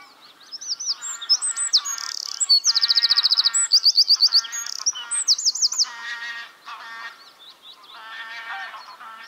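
A Eurasian wren's loud, rapid song: high, sharp notes, a fast metallic trill in the middle and tumbling phrases at the end.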